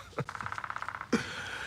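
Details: A woodpecker in a yard on a sunny day drums a quick, even roll of about fifteen taps lasting under a second, with a man's voice speaking just before and after.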